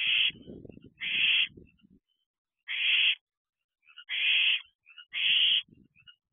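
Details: Barn owl owlets in a nest box at night, 11:11 pm on 6/11/23, calling together: five harsh, hissing screeches, each about half a second long, spaced irregularly, with softer rustling noises between them.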